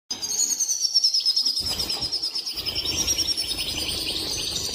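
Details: European goldfinch mating song, after which a female takes the mating posture; a steady run of high twittering notes with fast trills, sustained throughout with little pause.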